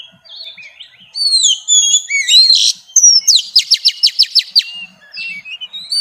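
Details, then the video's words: Female Oriental magpie-robin sings to stimulate males: gliding whistles lead into a fast trill of about ten evenly repeated sharp notes, then softer whistled slurs. "tiếng choè than mái xùy hót kích trống"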